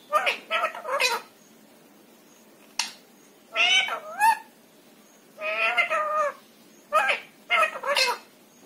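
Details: Pet rose-ringed parakeet talking indoors, imitating Hindi phrases. Short harmonic, voice-like syllables come in quick clusters of two or three, separated by silent gaps, with a longer wavering phrase near the middle.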